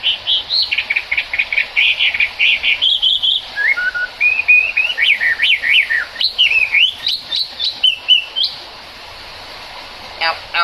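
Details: Chinese hwamei singing in the rain: a loud, varied run of clear whistled phrases, some quick trills, others sliding up and down, for about eight seconds before falling silent.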